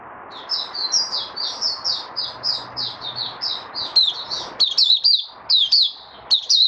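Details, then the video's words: White-eye (mata puteh) opening its song to steady its form: soft rolling twitters that grow into louder, sharp, high chirped phrases with brief breaks, over background hiss. "Mata Puteh Raja Stablizing his form buka sing"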